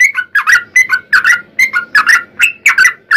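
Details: Yellow-vented bulbul (trucukan) in energetic 'ropel panjang' singing, meant as a lure to get other bulbuls singing: paired gurgling notes that drop in pitch, repeated in a steady, rollicking rhythm.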